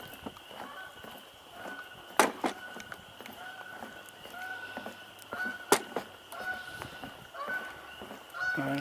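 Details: A goose, thought to be in flight, gives nasal honking calls at an uneven pace, several over nine seconds, recorded 10 April 2021, with sharp knocks and a low hum in the background.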